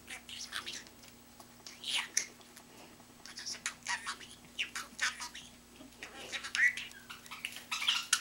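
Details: Pet budgie that mimics human phrases, chattering indoors; a busy run of raspy clicks, squeaks and short whistled notes, growing denser and louder toward the end.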